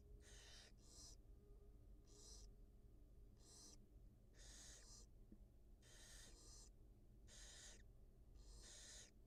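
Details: Inside a wild barn owl nest as the mother feeds two newly hatched nestlings, rapid paired and single rasping hisses follow one another at about one-second intervals, accompanied by low hum.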